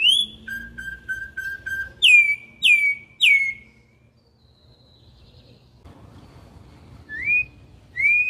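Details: Wild-style song of a campo troupial: an opening whistle, a string of short even pips, three strong descending whistles, a quiet gap, then two more rising whistles.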